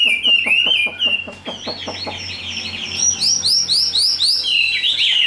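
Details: Chinese hwamei, a tame big-bodied captive bird in fighting display, sings a quick string of short clipped notes that gives way to looping, rising whistled phrases repeated in quick succession.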